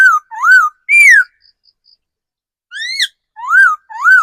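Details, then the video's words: Decoy laughingthrush, a mature forest bird, singing loud clear whistled phrases, each a rich upslurred or downslurred note, in two bursts of three separated by a pause with faint soft pips; quiet background. "Tiếng chim khứu mồi già rừng"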